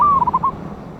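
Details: One brief phrase of a big-voiced wild local zebra dove (perkutut), lure sound dated 11/8/24: a long slightly falling coo followed by four fast rolling notes.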